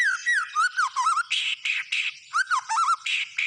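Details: Lively white-rumped shama song alternating looping whistled slurs with harsh buzzy bursts, about three phrases a second.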